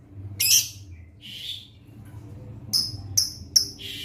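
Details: Sunbathing pastel lovebird giving a rough squawk, a lower buzzy note, then three short, piercing high chirps in quick succession near the end, with a faint low hum underneath.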